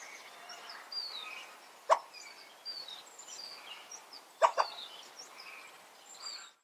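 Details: Crested coua giving two short, sharp barks about two and a half seconds apart, the second doubled, over thin, high bird chirps; a rarely calling bird making this barking sound for the first time, the owner assumes because it was upset.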